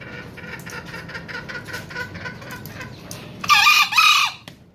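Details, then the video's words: Green junglefowl kept in a farm pen, crowing often: soft clucking notes lead in, then one loud, harsh, hoarse crow of about a second bursts out near the end. "Ayam Hutan Hijau Rajin Kokok"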